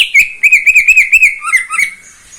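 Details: Greater green leafbird, a neighbour's caged bird that sings nonstop each morning: a fast trill of arched whistled notes, then a lower twisting phrase fading out.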